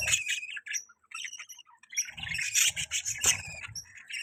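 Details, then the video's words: Budgerigar kept as a pet chatters in quick high chirps and squeaks, a short quiet gap, then a louder run of scratchy twittering with a few soft low bumps. "Budgie Chirping Sounds"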